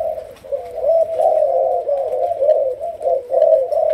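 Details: A young Malaysian spotted dove being trained as a decoy gives a continuous run of soft, low, husky coos, rising and falling in a rolling, slightly tremulous phrase, with faint background hiss.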